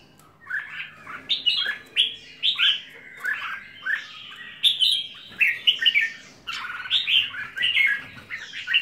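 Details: Home-kept red-whiskered bulbul delivering lively, repeated whistled phrases, each a quick rising-and-falling burst of liquid notes, about one phrase every second, with faint clicks and a quiet background hum.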